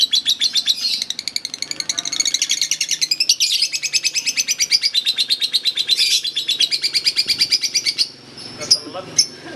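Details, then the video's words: Lovebird's long contest chatter, a brisk run of high, scratchy, repeated notes lasting about eight seconds before trailing off into a few scattered chips. "Kicauan Pertarungan Love Bird Ngekek Panjang"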